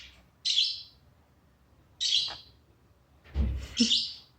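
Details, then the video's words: Pet bird making funny sounds for its owner: three harsh, buzzy chirps at uneven gaps, the last mixed with a low thud and a brief lower note. "cute bird making his owner laugh by making funny sounds"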